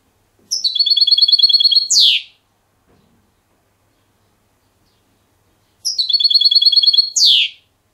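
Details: Song of a tutored caged European goldfinch, silvestrismo clean-song styles Diego Murcia and Zujareño: two phrases of quick metallic trilled notes, each ending in a steep falling slur, about five seconds apart, with near silence between.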